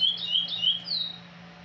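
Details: A chestnut-bellied seed finch (curió) from Pará sings the "praia liso" song: clear, sweet whistled notes, sliding and warbling high, ending in one long falling whistle, with a faint steady hum underneath.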